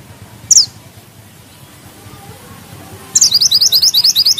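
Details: Mantenan gunung bushchat in lively song: one sharp descending high chip, a quiet gap of over two seconds, then a rapid rolling string of thin, rising, high notes repeated several times a second.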